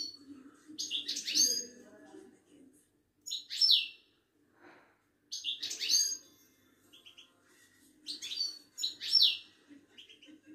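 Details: Moroccan ouidani European goldfinch at a Casablanca bird market. Lively phrases of high, liquid twittering and sharp descending whistles repeat every few seconds, with short silences between. A faint murmur sits in the background.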